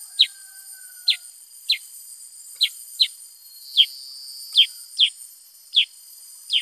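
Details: Lively Black-headed bulbul uttering about ten quick down-slurred chips, some in close pairs, at an irregular rhythm over a steady high-pitched hum.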